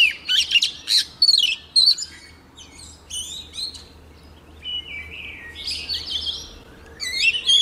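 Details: White-rumped shama hen in a cage, singing to rouse the males to full song; clusters of loud high chirps and trills, then softer buzzy warbling and a last whistled flourish.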